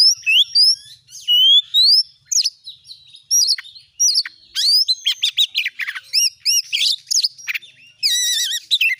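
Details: Oriental magpie-robin song used as a lure to set a kept magpie-robin singing: a fast, varied run of high clear whistles, rising slurs, buzzy notes and rapid looping trills, with a tumbling stream of chirps near the end.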